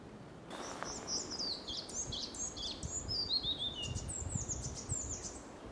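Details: Semi-collared flycatcher, the first accepted record for the Netherlands, 7 May 2021, identity confirmed by DNA: thin, high whistled notes, several sliding downward, given in a quick irregular series over a soft low rumble of background noise.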